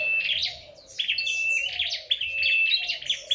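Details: Red-headed flowerpecker in competitive song gives a rapid, high, thin run of ticking chips and short trills over a steady high whistle, with scarcely a pause.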